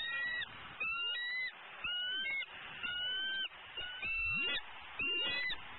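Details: Female eagle at a Southwest Florida nest on 12-11-14, around 11am, calling impatiently and hungrily while her mate eats prey nearby. Her high, shrill notes repeat about once a second, each rising then dropping, over a steady background hiss.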